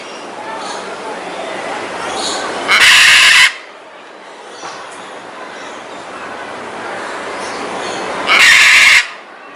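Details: Scarlet macaws in a flock, screaming: two loud, grating, broadband screams about six seconds apart, each under a second long, separated by soft background hiss and faint distant chatter.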